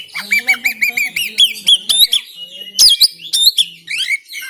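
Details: Oriental magpie-robin recorded on an Android phone in Banten, Indonesia, singing to prompt other magpie-robins to sing: a run of bright, sliding whistled notes repeated quickly, then sharp high chips and rising whistles, with a faint low hum beneath.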